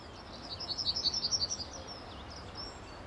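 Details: Yellowhammer male singing from a tree by a car park entrance at RSPB Fowlmere, early morning, late March 2015; a quick run of about twelve bright, high, evenly repeated notes lasting just over a second, with light background hiss.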